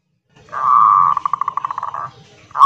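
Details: Local zebra dove (perkutut) singing loudly in the kerot nguwor style, used as a lure to set other doves singing: a drawn-out, rolling coo breaks into a fast series of pulsed, bubbling notes, with a low murmur beneath.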